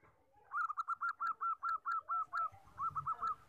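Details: Zebra dove, the common 14-tail-feather type used to lure and train birds: about a dozen quick arched coos in a steady run, a brief gap, then three more, with faint low rumble behind.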